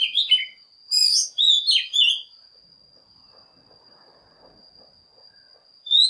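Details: Oriental magpie-robin lure song to call in wild birds and trigger singing: short bright whistled and chattering phrases in the first two seconds, a long quiet gap with a steady high whine, and one final note.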